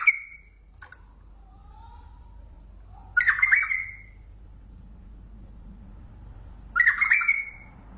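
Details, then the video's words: Bulbul from Mandali singing: three loud, rich whistled phrases, each rising into a bright warbled flourish lasting about a second, separated by roughly three seconds of quiet with a faint low hum beneath. "بلبل مندلاوي لسنات تغريد روعه"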